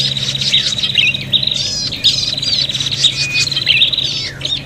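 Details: Prinia fighting calls for luring: a rapid, high, buzzy chatter with repeated twittering bursts and short upward sweeps, over a low background hum.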